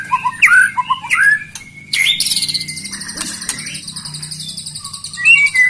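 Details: White-rumped shama (murai batu) singing a provoking song meant to anger rival birds into singing. Varied whistled notes and rising slurs, then long, buzzy, high-pitched trills held for several seconds, ending with clear whistles.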